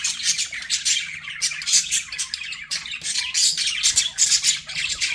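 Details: Pet budgerigars chirping: bursts of harsh, scratchy high squawks and chatter following one another irregularly with brief pauses, apparently indoors.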